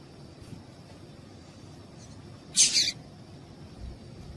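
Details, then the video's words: One bright, very high double-pulsed chirp from a female yellow-bellied seedeater, whose piado call gets males singing for song tournaments, against a quiet hiss. "Piado de Fêmea de Papa capim para Esquenta papa capim"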